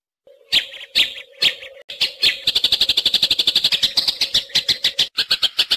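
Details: Eurasian tree sparrow calling in 'fighting' (tarung) style, used to tutor green leafbirds and magpie-robins: a few spaced sharp chirps over a low steady hum, then a long rapid chatter of repeated high chirps.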